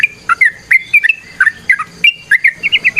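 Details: Sooty-headed bulbul singing varied 'ropel' phrases: clear, liquid slurred notes that rise and dip, some trailing into thin held whistles, ending in a quick run of four bright chirps.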